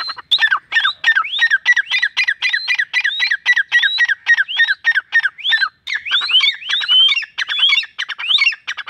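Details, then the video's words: Desi partridge kept and trained by its owner, perched beneath a tree and answering a whistle with a long, steady run of rising whistled notes mixed with dry clicks, growing more tangled and overlapping toward the end. "teetar ki awaz"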